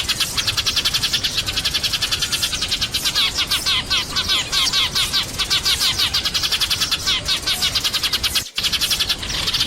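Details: Sparrows chirping in a flock, both males and females: constant overlapping bright twittering and quick sharp notes, busy and unbroken, with a brief cut in the sound near the end.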